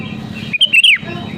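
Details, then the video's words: A single short sooty-headed bulbul phrase, sung to goad rival birds: a few clear whistled notes stepping up then sliding down, set against a low background hum. "SUARA ASLI BURUNG KUTILANG GACOR PALING AMPUH MENEKAN LAWAN UNTUK BUNYI GACOR SEKETIKA"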